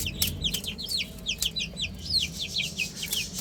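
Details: Chicks playing on a roof give loud, distinct downward-sweeping peeps, repeated several times a second with a few sharp clicks between.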